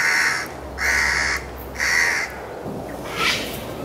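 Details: A House Crow in Pasir Ris Park, Singapore, in August 2023, harassing a juvenile Oriental Pied Hornbill for about ten minutes: three harsh, loud caws about half a second apart, then a fainter fourth call.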